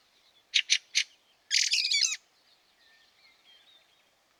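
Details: Fieldfare in snow at Liepāja, Latvia, March 2023: three quick harsh, broadband chack notes, then a longer rasping chatter lasting half a second, another harsh note at the end, with faint thin whistles of other birds in between.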